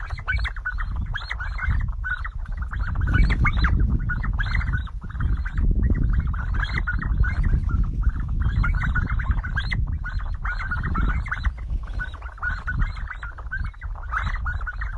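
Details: A flock of sandgrouse drinking water chatters nonstop with throaty, gurgling calls, several a second and overlapping, above a heavy low rumble of wind.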